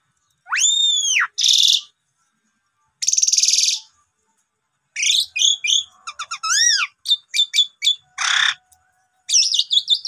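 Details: Asian pied starling song used to provoke birds into singing: a high arched whistle, harsh grating bursts separated by pauses, then quick varied chirps, upward-curving whistles and a buzzy rasp. No background noise.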